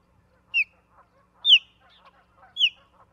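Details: On a Charlo, Montana osprey nest cam, 17 August 2023, three loud high whistled calls sliding downward about a second apart, with softer lower chirps and chatter in between.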